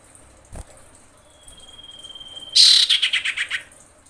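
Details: Breeding female common iora calling to males: a drawn-out level high whistle lasting over a second, followed by an abrupt loud rasp and a rapid chattering trill that slows and drops in pitch.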